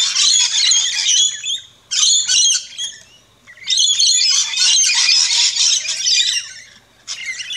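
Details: Rainbow lorikeets feeding at a backyard feeding station in Australia, giving long bursts of loud, harsh, buzzy screeching that run for over a second each, broken by short pauses.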